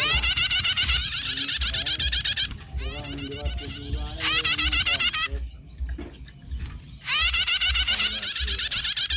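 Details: Bar-winged prinia in a lure recording for small birds, giving long bursts of fast, harsh, repeated buzzy notes, several seconds each, separated by quieter stretches of lower twittering and a steady low thumping in the background.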